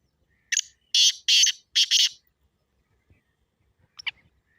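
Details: Excited black francolin call meant to set a kept partridge calling: one harsh, buzzy phrase of four grating notes in quick succession, then quiet with a brief thin squeak.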